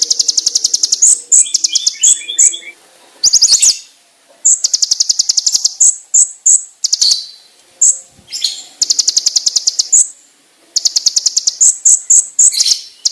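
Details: Konin (brown-throated sunbird) song with varied fill-ins: bursts of rapid high ticking trills mixed with bright ringing whistled notes, broken by short pauses, plus softer lower twitters at the start.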